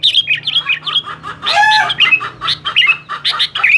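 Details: Noisy sooty-headed bulbul song aimed at rivals: a jumble of short bubbly whistles and scratchy chatter, with one longer clear whistle in the middle, then more quick harsh notes with sharp upturned tips.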